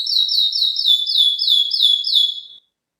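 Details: Female canary calling to lure a male: a high, clean series of short, downward-slurred cheeps, about three per second, repeated evenly for over two seconds before stopping; no other sounds.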